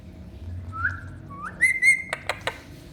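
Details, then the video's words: Pet parrot chattering while splashing through its shower bath indoors: a soft rising whistle, then a brighter upslurred whistle into a held note, followed by three sharp clicks over a steady low hum. "Chatty Parrot's Hilarious Shower Time"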